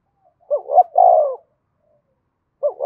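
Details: Fighting-stimulation call of a spotted dove: a pair of short, rising hoots runs into a sustained, mellow coo, then silence before the next phrase begins at the end.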